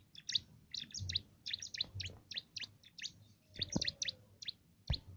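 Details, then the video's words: A small cimblek giving a canary-like song used as filler for contest birds: rapid high twitters in tight groups, with a few low knocks and a brief faint tone. "Burung cimblek isian brem rasa kenari"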